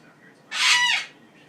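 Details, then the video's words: A male Goffin's cockatoo, excited and hopping on top of his cage at night, gives one harsh, honking, goose-like squawk about half a second long against a quiet background; a noise not heard from him in the month before. "Silly Goffin sounds like a goose"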